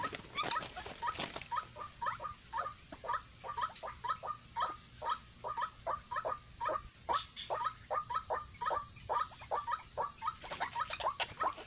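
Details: White-breasted waterhen calls played as a lure for both males and females: short, clipped notes repeated rapidly and steadily for the whole stretch, with a faint hiss behind.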